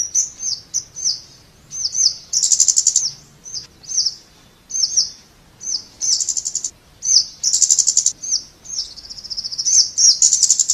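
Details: High, sharp flowerpecker notes from a Scarlet-backed flowerpecker, repeated in quick groups and mixed with stretches of shimmering buzz.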